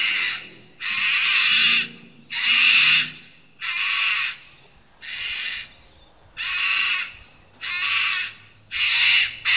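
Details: Sulphur-crested cockatoo at a church in Gray, Palmerston, near Darwin, Northern Territory, Australia, giving harsh, raspy, broadband screeches. There are about eight calls in ten seconds, each under a second long and evenly spaced, over a faint low hum.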